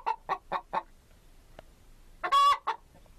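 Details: Chicken (Gallus gallus): four short, evenly spaced clucks, a pause, then one loud, harsh, ringing squawk that ends in a final cluck.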